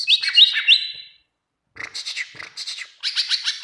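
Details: Greater green leafbird singing for use as a training recording: a run of sharp high whistled notes, then rougher chattering and buzzy twittering phrases after a short pause.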